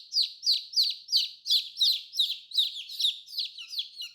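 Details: Young colourful chicks calling with evenly spaced, piercing cheeps that slide downward, roughly three per second, steady and clear.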